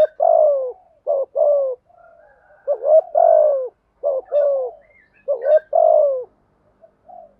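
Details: Spotted dove, male and female calls used to train and lure doves, repeat low, hoarse coo phrases about every 1.5 seconds. Each phrase has short clipped notes before a drawn-out descending coo.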